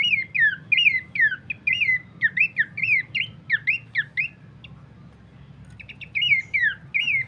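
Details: Horsfield's babbler used as a master song for bird training: a run of repeated hooked whistles sliding downward, a brief pause, then clipped notes and more falling whistles.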